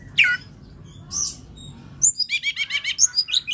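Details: Long-tailed shrike, local name cendet: a faint squeaky note and a soft buzzy sound, then a loud, rapid run of repeated chirping notes.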